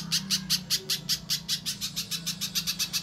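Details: Spiderhunter (pijantung pisang) calling in a lure recording played to prompt caged birds to sing. A steady series of harsh, high staccato chirps arrives roughly five per second against a faint low hum.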